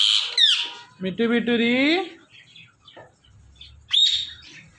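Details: Indian ringneck parrot talking: a sharp high squawk, then a drawn-out voiced, speech-like phrase with rising tone, a pause, and another shrill squawk near the end, with soft low background sounds.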